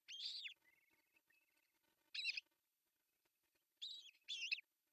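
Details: Osprey at an artificial nest in Pohjois Satakunta, Finland, on June 10, 2024, as the male brings a big fish for breakfast. Three loud, sharp, high chirping bursts separated by pauses, with a faint thin whistle between the first two.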